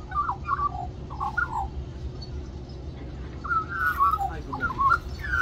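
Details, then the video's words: A magpie, one of several, sings for more mango at Cirillo Reserve, Middleton Grange, New South Wales, Australia. Bursts of quick warbled whistles at the start and again near the end, with a quieter gap between. "Magpie Sings For More Mango"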